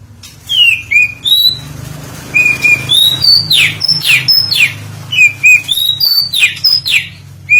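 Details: Oriental magpie-robin song used as a lure to provoke singing: clear whistled notes, some rising and some level, mixed with sharp descending sweeps, phrases separated by short pauses, over a faint low hum.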